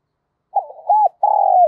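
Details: Spotted dove acting as a decoy to lure wild birds. Soft broken opening notes and an arched coo lead into a long, steady vibrating note that is cut off.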